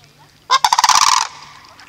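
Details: Loud, rattling, trumpet-like call of sandhill cranes at Reifel Bird Sanctuary, a quick series of harsh pulses lasting about three quarters of a second before fading.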